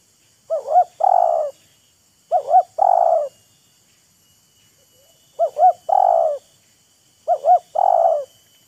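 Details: Spotted dove, a wild bird dueling vocally with a decoy bird: four loud phrases of two quick looping notes then a drawn-out mellow coo, repeated at roughly two-second gaps, with one faint short note between.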